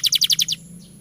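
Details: Canary song phrase used to coax quiet or young canaries into singing: six quick, evenly spaced chip notes in a bright trill, ending abruptly, with a low steady hum beneath.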